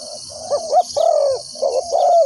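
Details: Doves calling at a spotted dove trapping site where a decoy lures wild birds: overlapping low mellow coos and rising-falling notes, less tidy than a single bird, over high insect drone.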